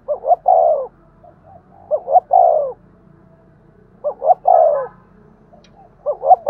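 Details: Spotted dove giving a stimulating coo used to lure other doves, each phrase two quick low hoots and a drawn-out descending coo, repeated roughly every two seconds in a quiet setting.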